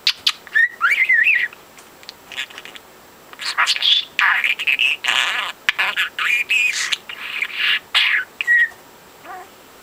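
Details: Young budgie, a pet male about four months old, kicked out of the nest at two weeks and talking since two months, chattering in a stream of high, buzzy, speech-like phrases with rising and falling whistles and short pauses between bursts.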